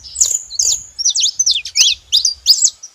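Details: Several saffron finches calling together: sharp, high chirps and downward-sweeping notes tumbling over one another in a fast, uneven stream, with faint low rumble underneath.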